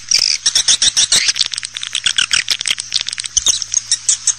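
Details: Swiftlet calling meant to bring the birds into bird houses: rapid high chirps and twitters, briefly crowded and chattering, then settling into a regular string of notes over a faint hum.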